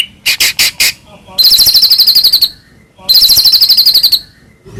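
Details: White-rumped shama, Medan type, lure song meant to provoke other shamas to sing: four harsh chattering bursts followed by two long buzzy, rattling trills of high notes separated by a short pause.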